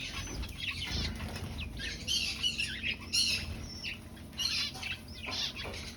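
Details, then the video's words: Finches kept in an aviary while breeding and finding a nest; scattered high squeaky chirps and short trills come in clusters, with some wing flutter and low background rumble. "Finch Sounds"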